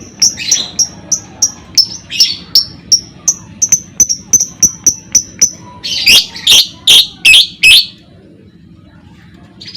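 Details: Lovebird ngekek, used to provoke other lovebirds into singing: rapid, even, high-pitched kek notes repeated about three times a second, then several louder, harsher buzzy bursts, and a short pause before a faint final note.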